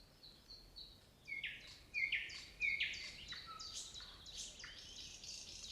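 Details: Nightingale song with short high whistles, followed by louder sharp chirps and a jumble of varied notes, set against a steady background hiss.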